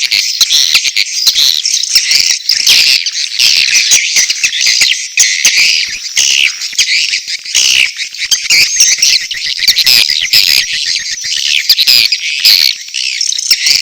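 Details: Edible-nest swiftlets heard in a steady wall of high twittering and chirping, mating calls interwoven with chick calls, busy and unbroken for the whole stretch.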